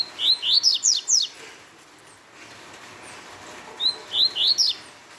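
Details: Double-collared seedeater singing rapid Tui Tui phrases, each a run of five or so bright rising notes, with two bursts separated by about two and a half seconds of near silence.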